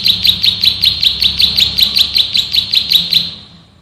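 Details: Male bar-winged prinia drilling ngebren song used for training birds: quick high chips, roughly three per second, stopping abruptly near the end, followed by a fading tail.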